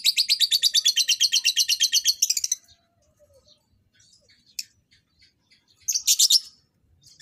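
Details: Lovebirds during pairing for breeding give a long run of shrill, rapid chattering pulses for over two seconds, then quiet scattered ticks and a final short burst of high chatter.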